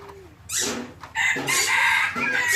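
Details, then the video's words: Red junglefowl decoy bird crowing loudly and clearly: two harsh, broadband bursts, the second longer and about a second long, with a short noisy note at the end and low murmuring beforehand. "ไก่ต่อดี เสียงดังชัด"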